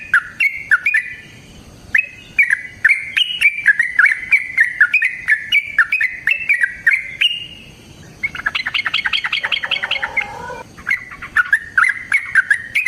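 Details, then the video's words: Yellow-vented bulbul in sustained song to provoke a rival into singing: chattering whistled phrases, then a dense buzzy, harmonic burst of fast notes in the middle before the whistling resumes. "TRUCUKAN GACOR TARUNG ROPEL PANJANG PANCINGAN TRUCUKAN Agar Bunyi Jadikan Burung TRUCUK GACOR EMOSI"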